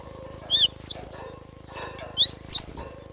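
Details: Java sparrow delivering two short bursts of high, looping whistled chirps about two seconds apart over a faint low hum.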